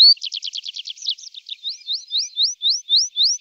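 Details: Tree pipit singing in summer: a fast, buzzy run of rapid high notes, then a slower series of about nine clear, slurred rising-and-falling notes repeated evenly, growing louder. No other sounds.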